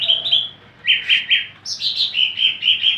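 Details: Greater green leafbird, a lively caged ornamental bird in full song, giving clear whistled notes in quick pulses, a short rising phrase followed by evenly spaced bright chirps about every quarter second.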